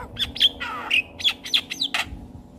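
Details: Javan myna singing, a recording for teaching young mynas to sing: quick run of harsh chattering squawks and brief whistled notes, one drawn-out rasping tone, all fast and irregular.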